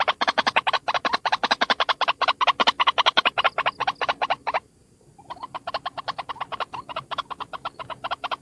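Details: Lure call of one White-breasted waterhen: rapid, rhythmic rasping croaks repeated over and over, briefly cut off for about half a second, then resuming at the same quick pace.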